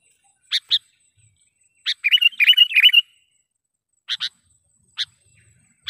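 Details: Sooty-headed bulbul call used as a trapping lure to excite wild birds and to train captive ones: sharp, isolated chip notes, then a dense, bubbly chattering burst about a second long, then more scattered sharp chips.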